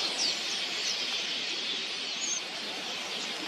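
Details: Red-billed queleas, migratory birds in an enormous swarming flock of millions, arriving to drink at a watering hole: a dense, continuous wall of high chirping and twittering, with a few clearer whistled notes standing out above the steady chorus.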